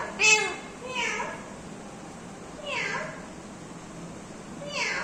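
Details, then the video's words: Pet Indian ringneck parrot talking indoors, giving four drawn-out, downward-sliding, meow-like vocal phrases spaced over five seconds against a steady room hiss. "smart parrots talking mithu beta"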